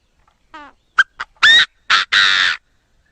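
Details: Chinese francolin crowing call, a recording meant for trapping with a lure speaker: a soft harmonic note, then sharp clicks and three loud, harsh, grating bursts in quick succession.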